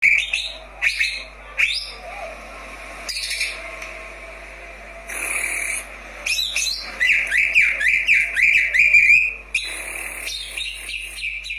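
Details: Greater green leafbird, a daily-use recording meant to stimulate lazy birds to sing: varied whistled phrases around a steady high tone, then a fast run of repeated chirpy notes in the middle, with sharp high bursts between.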